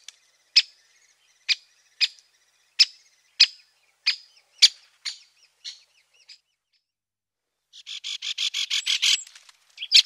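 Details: Great spotted woodpecker repeating sharp, high "kik" notes at irregular intervals of about half a second to a second, fading out, then a fast, rattling chatter of rapid notes near the end.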